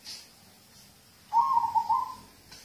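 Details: Local zebra dove singing as a prompt for other birds: after near silence, one bright phrase of several quick, bubbling coo notes rises in the middle and fades.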